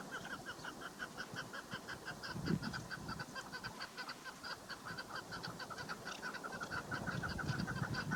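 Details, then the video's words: A female chukar partridge, described as in heat and used as a hunting lure, gives a fast, steady run of harsh clucking notes, several per second, over a low background rumble. "Dişi Keklik Sesi Dinle Meri Keklik Ötüşü Dişi Keklik Av İçin Kızgın Dişi Keklik Sesleri"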